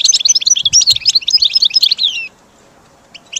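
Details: Training song for a caged goldfinch: a quick burst of high twittering notes and short slurred whistles that ends in a falling glide, then near silence with a few faint chirps.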